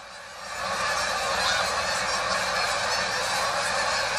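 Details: Noisy gathering of geese heard on a walk, the massed honking swelling during the first second and then holding as a dense, steady chorus of overlapping calls.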